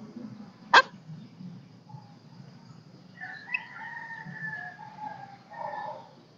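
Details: Golden-crested myna kept as a lure to call in flocks, singing though not yet in full form: a sharp snap, then a drawn-out, wavering, almost crow-like whistled phrase lasting about three seconds, over a low steady hum.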